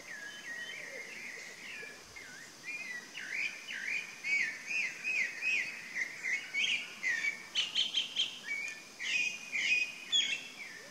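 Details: Chalk-browed mockingbird (sabiá-do-campo) singing: a varied run of short whistled and chirping phrases, rising and falling, delivered in quick bursts about two per second, growing louder after four seconds, with steady faint background hiss.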